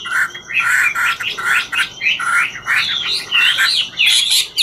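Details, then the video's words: Chinese hwamei of "ngũ trường" song style, singing while dancing: loud slurred whistled phrases over a steady background hiss. "Họa mi ngũ trường hót múa cực chất"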